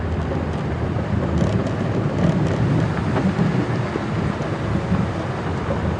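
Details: Heavy rain pattering on surfaces with deep rumbling and vehicle engine noise during an afternoon safari drive; no animal sounds heard.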